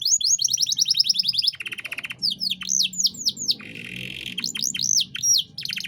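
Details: Canary master song for training young songbirds: fast rolling trills of rapid repeated notes, then sweeping whistled slurs and a buzzy rattling passage, the phrases changing every second or so with a low hum beneath.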